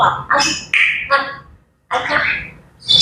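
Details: Grey parrot chatter in the morning: a few talking-like syllables, a short whistle, then a rough squawk and a thin high note at the end.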